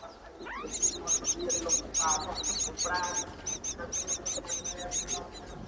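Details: Myna chicks in a nest high on a palm tree give rapid, harsh, high-pitched begging calls in quick bursts, about two a second, while the mother returns to feed them in breeding season, with lower chattering notes underneath.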